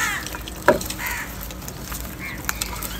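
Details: Morning crows squabbling over food give several short, rasping caws spaced about a second apart, mixed with a loud tap and crackling, clicking feeding noises throughout.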